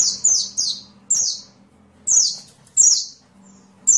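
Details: Sunbird used as a master voice for training songbirds: loud, very high notes that slide steeply downward, given singly or in quick pairs with pauses between, over a faint steady low hum.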